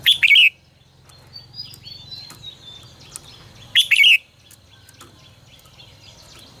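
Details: Red-whiskered bulbul singing as a tutor voice for training other birds: two loud, short warbled phrases about four seconds apart, bright and quick, with faint chirps from other birds and a low hum between them.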